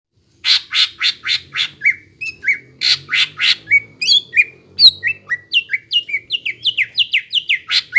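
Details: Greater green leafbird in full song, a model bird played to spur young untrained birds to sing: rapid harsh, buzzy bursts alternating with sharp down-slurred whistled notes in a fast, continuous chattering stream.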